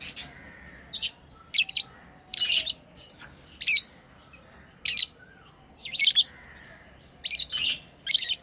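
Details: Tame lovebirds at play, calling in brief shrill chirping bursts spaced about a second apart over a quiet room hum.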